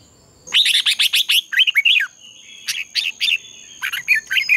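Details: Red-whiskered bulbul in fighting song for dawn training: a fast run of sharp chirps, then groups of two or three fluty whistled notes, each group falling in pitch, over a continuous thin high-pitched hum.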